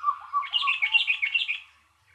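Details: A single bulbul sends out a fast, bright burst of chattering, warbled notes lasting about one and a half seconds. A lower buzzy note runs underneath, then the sound fades into quiet.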